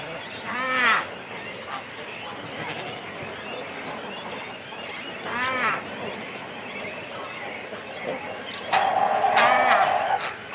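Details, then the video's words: Cormorant colony with chicks and adults on the nest: separate nasal, wavering croaks roughly every few seconds, the last one longer and mixed with a thin steady whine, over continuous low colony chatter. "Cormorant. CU Calls From Chicks And Adults On Nest. Colony Sounds."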